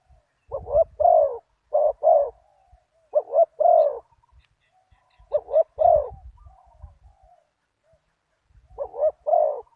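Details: Decoy spotted dove with a big one-kuk voice, luring a targeted wild dove. Repeated low coo phrases, a clipped double note then a falling drawn coo, come under soft low thumps and rustling handling noise.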